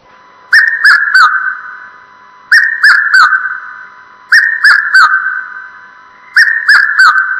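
A Red-chested Cuckoo gives loud, clear three-note whistled phrases, each note slightly falling, repeated about every two seconds against a quiet background.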